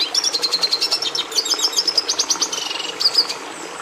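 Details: Red siskin (Carduelis cucullata) singing a fast, high twittering song: rapid repeated metallic chips and short buzzy trills, with brief sliding notes near the end, delivered without pause.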